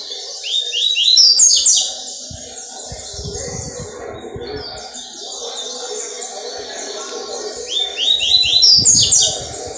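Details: Double-collared seedeater from a breeders' setting, recorded on Wednesday 4 October 2023. It gives two bursts of rapid, high, slurred descending notes, at the start and near the end, with low rumbling background noise between.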